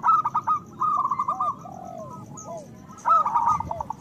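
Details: Local zebra doves in full voice as a breeding-desire lure: two fast rolling coo phrases framing slurred downward notes and a brief quiet spell.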